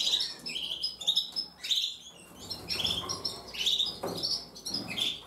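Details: Breeding pair of Gloster Fancy canaries in breeding behaviour, giving bright, high chirps and short rising tweets in quick overlapping bursts throughout, with soft lower rustles and knocks between them.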